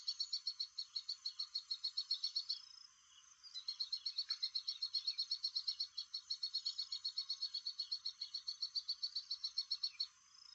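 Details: Ashy prinia (Prinia socialis) call: a fast, steady run of high, sharp chipping notes, about four a second, in two long bursts with a brief pause between.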